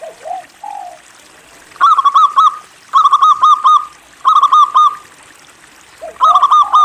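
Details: Local zebra dove recorded to coax other doves into song: low slurred notes open, then bursts of rapid repeated cooing notes, three or four per burst, return roughly every second, followed by another low slurred phrase.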